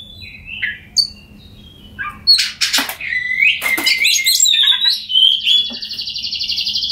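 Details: Oriental magpie-robin song intended to trigger singing in quiet birds: a few sparse notes, then harsh scratchy bursts and a sustained buzzy trill at high pitch.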